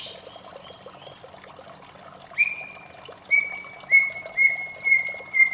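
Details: Morning song of a white-rumped shama, melodious: a few soft high notes, then clear pure whistles on one pitch repeated about every half second, over a steady hiss.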